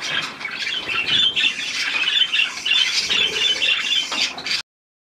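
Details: Budgerigars bathing under a shower on 18 May 2024, giving rapid, repeated squeaky chirps and warbles about four times a second over steady hiss, then stopping abruptly into silence near the end.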